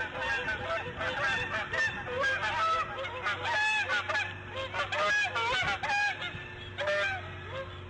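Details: Nesting female bald eagle on the morning she laid her fifth egg, 8:40 AM, March 1, 2014: rapid series of high, thin, chirping and cackling notes in clustered bursts over a constant low electrical hum.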